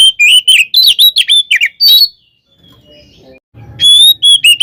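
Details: Kacer, or Oriental magpie-robin, in fighting song meant to rouse other magpie-robins; a quick string of whistled, slurred notes, a silent gap of about a second and a half, then pure whistles resume.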